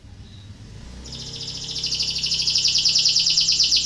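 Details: Canary in breeding condition, its song played as a lure to stimulate other canaries to sing along; after a second of quiet, a rapid, high, buzzy pulsed trill begins and swells steadily louder to the end, over a faint low hum.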